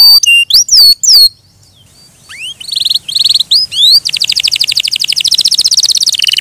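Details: Canary singing: sharp, high downslurred whistles, a brief pause, then rising and falling slurred notes that break into a rapid, buzzy, rattling trill held for over two seconds.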